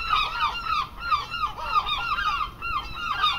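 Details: Seagulls call close by in an English seaside garden. Rapid, arching, harmonic yelps come in bursts of several at a time, with short dips between the waves of calling.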